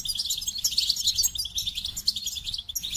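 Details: Unbroken, high-pitched goldfinch twittering, rapid jingling notes and trills crowded together for the whole stretch.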